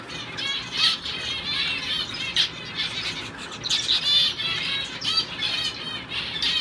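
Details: Male owl finch (double-barred finch) in a show cage, training for shows, sings a thin, high, nasal warbling with bursts of squeaky notes running continuously for several seconds over faint background hiss.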